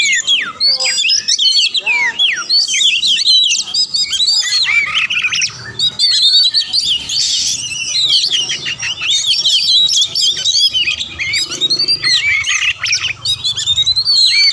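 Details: Long, nonstop Oriental magpie-robin song meant to trigger a fighting response in other magpie-robins: varied high whistles, swooping slurs and dense chattering trills layered together.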